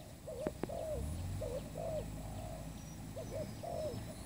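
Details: Spotted dove used as a lure for trapping, a newly kept bird. Mellow coos come in short slurred phrases, steady and low, with two sharp taps near the start.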